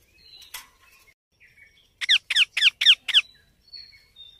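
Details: Baby Indian ringneck parakeet producing six rhythmic, grating squawks in a little over a second, framed by faint squeaky chirps before and after.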